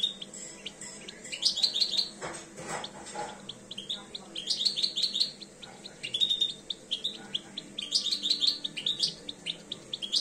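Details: European goldfinch, two years old, starting to come into breeding condition, sings in three bursts of rapid twittering, tinkling high notes separated by quieter pauses, with brief rustling noises early on.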